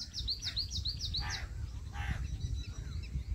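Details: Jungle babbler chicks in the nest waiting for the mother bird: a quick run of about nine thin, high chirps in the first second and a half, then two harsher, broader squawks, over a steady low rumble.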